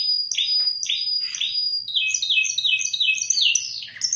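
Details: Spanish timbrado canary from Indonesia giving three loud sliding notes over a ringing high tone, then a fast run of paired chirping notes rising toward the end, with a faint low hum.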